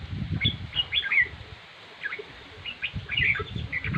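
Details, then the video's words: Red-whiskered bulbul delivering brisk, sweet warbling phrases and sharp chirps in two bursts, with soft low thuds and rustling underneath. "chim chào mào diab kuam lauj quaj zoo heev"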